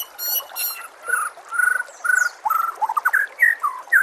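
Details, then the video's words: White-rumped shama song from a combined tutor recording meant to make caged birds sing more: rich whistled phrases, some held, some rising or falling, delivered in quick varied bursts about twice a second over a quiet background. "KOMBINASI MASTERAN MURAI BATU PALING LENGKAP DAN PALING JERNIH AUDIONYA"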